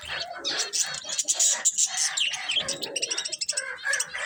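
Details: Budgerigars chattering continuously, with rapid high chirps and warbled notes crowding one another in a busy, scratchy stream.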